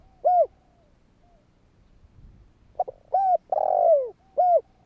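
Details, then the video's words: Spotted dove coo given to provoke other doves into calling. An arched coo opens, then after a quiet gap come brief stutter notes, a smooth coo, a long grating falling croo and one final arched coo. "Chim cu gáy Thúc kích bổi , Tiếng cu gáy Thúc hay ,tiếng chim cu gáy kích bổi"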